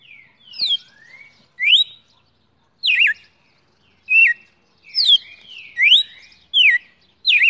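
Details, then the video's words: Champion red-cowled cardinal (galo de campina) singing in a cage held in the hand, in the morning, December 2018: clear, whistled phrases of sharp rising and falling notes, about one every second, with short pauses between. "galo de campina campeão cantando"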